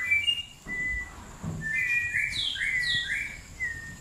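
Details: White-rumped shama singing in a cool forest, described as gacor (lively, continuous singing): clear whistled phrases, some rising and some falling, in quick varied bursts over a steady faint high hum and low rumbling background.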